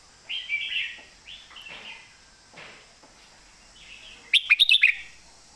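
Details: Red-whiskered bulbul kept for song competition delivers a full, thick-cored master song. Rich warbling phrases rise and fall, with pauses between them, ending in a rapid string of sharp clicking notes over a constant high-pitched hum.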